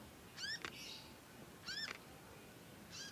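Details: Young conin learning to sing. Three squeaky, harmonic chirps fall at about one-and-a-half-second intervals, the first followed by a sharp click and a brief hiss.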